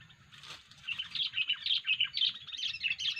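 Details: Sooty-headed bulbul in an odd 'poin' call, used as a bird lure: a wing flutter, then a series of sharp, bright chirps and rough chatter at moderate volume.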